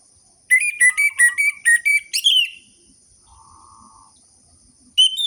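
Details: Stimulation audio of an orange-headed thrush for quiet captive birds: a row of repeated whistled notes with slight pitch steps, closing on a slurred sweep. A soft buzzy hum follows, then a new phrase begins.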